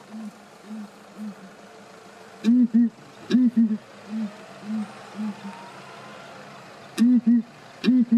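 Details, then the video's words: Deep hooting of Southern ground hornbills in Kruger National Park as birds call and answer: soft low single hoots in a steady series, broken by louder booming doubled notes roughly every second or so. "Southern ground hornbill calling"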